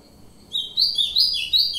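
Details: Ultramarine grosbeak singing a short song snippet known as a colinha: after a brief quiet start, four quick, clear, high whistled notes, each slightly falling, spaced about a third of a second apart, over faint low background hiss.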